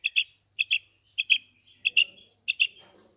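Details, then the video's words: Clear calls of a female quail: five ringing two-note phrases, each pair of bright notes trailing off slightly, delivered at even spacing in near silence. "Maadi Batair Ki Awaz, Female Quail Calling, Female Batair Ki Awaz,Maadi karkari Female Quail voice"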